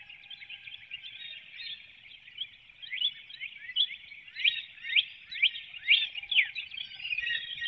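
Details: Before dawn in a Hanover, Pennsylvania woodlot, April 12, 2019, a female bald eagle departs her nest calling: a rapid series of high, upward-sweeping chittering notes, building in the second half, over constant high-pitched background noise.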